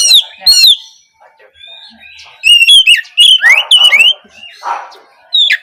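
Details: Oriental magpie-robin, its song meant to get young spotted birds singing in the morning: scattered sharp chirps, then a cluster of slurred, rising whistles and brief harsher notes, with faint background sounds.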